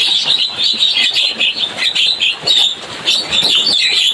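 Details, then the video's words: Lively chattering from Javan myna: crowded, high, scratchy chirps and whistly squeaks running without a break, slightly pulsed in volume. "Suara burung jalak kebo cuitannya bikin rame."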